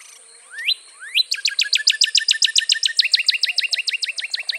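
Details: Two rising whistles open a long, rapid trill of sharply down-slurred notes from a Northern cardinal, about four per second, loud and clear.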